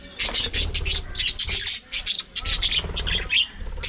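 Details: Budgerigars chattering in quick, scratchy, high bursts that overlap and break off in short pauses, with a steady low rumble underneath.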